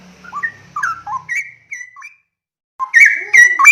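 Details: Calling straw-headed bulbul: a run of short, clear whistles, some rising, some falling, over a faint low hum. A brief silence follows, then a louder, fuller warbled phrase to the end.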